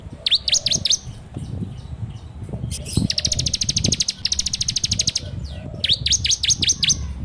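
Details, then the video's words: Bar-winged prinia song as a training lure, Android recording: groups of descending whistles framing long fast rattles of high ticks, with some low background noise. "PANCINGAN SUARA CIBLEK TERBAIK FULL NGEBREM RAPETT!!!"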